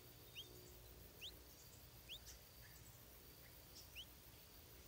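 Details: Stripe-throated bulbul chick begging during feeding by its mother: five quiet, quick upslurred chirps spaced about a second apart against faint background hiss.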